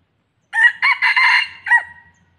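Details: A red junglefowl used as a decoy for luring wild junglefowl in Thailand crows once: a quick, hoarse, four-part phrase about a second and a half long, ending in a brief trailing note, over faint low hum.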